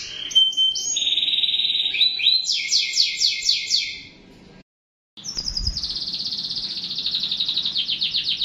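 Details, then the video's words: Canary song of a clear whistled note, then rapid chopped trills at about four per second; after a short silent break the bird resumes with a long, even rolling trill. "٣٠ دقيقة تغريد مستمر ورائع مهما كان نوع الكناري خاصتك سيبدء بالتغريد"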